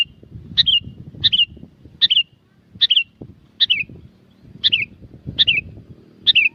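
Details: Noisy, lively lure song of a sooty-headed bulbul from Curug Agung, Subang, West Java: eight short bright phrases, each a sharp note dropping into a warble, repeated roughly every 0.7 seconds over low background rumble.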